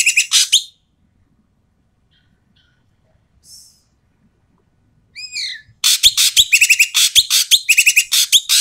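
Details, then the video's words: Asian pied starling giving loud, harsh, noisy calls used to lure quiet starlings into calling; a brief burst, a long pause, a falling whistled note, then a rapid run of rasping chatter mixed with clear whistled notes. "BURUNG EKEK KELING BERISIK SUARA KERAS DAN KASAR COCOK UNTUK PANCINGAN BURUNG EKEK MALAS BUNYI"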